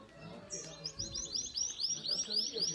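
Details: Yellow domestic Belgian canary at a singing competition, seventh edition: a fast run of high, rising, repeated notes, about six a second, over background voices.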